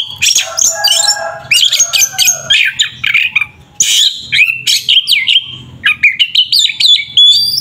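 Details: Rival-provoking 'tarung ngeplong' song of an Oriental magpie-robin: dense, nonstop medley of harsh squawks, chattered notes and downslurred whistles, with one short silence midway.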